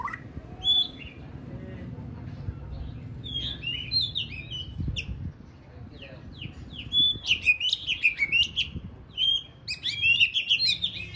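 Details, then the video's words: White-rumped shama in training for a bird singing contest: sparse whistled notes at first, then quickening bursts of high, ringing whistles and sharp chips toward the end, over a quiet low hum. "Kích lửa chuyền đấu hót solo sàng cầu rực rỡ"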